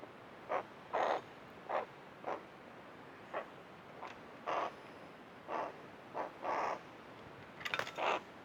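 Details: Tame Hooded Crow lingering around its bird bath, giving about ten short, harsh, hoarse caws in an uneven series, some paired closely and others spaced nearly a second apart, with a faint clicking rattle near the end.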